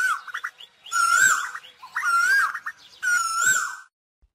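An Asian koel gives loud, ringing whistled phrases about once a second, each a clear note swelling and slurring upward, with faint background murmur between.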